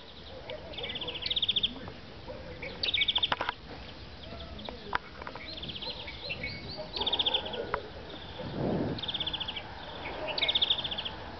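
A European greenfinch sings bright, rapid trills about a second long, repeated every two seconds, over a faint murmur of low background sounds.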